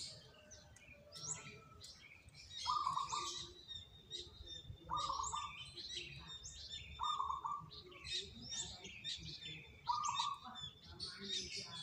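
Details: Zebra dove, among three lure birds chosen for singing most often, repeats a brief vibrating coo four times at intervals of roughly two seconds, surrounded by dense high-pitched chirping of many small birds.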